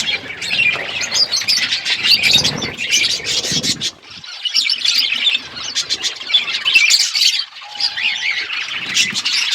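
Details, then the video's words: Parrots feeding on February 25, 2024, producing bursts of shrill chirps and squawky chatter, with a brief quieter lull before dense twittering resumes. "Beautiful Parrot eating food birds chirping sounds"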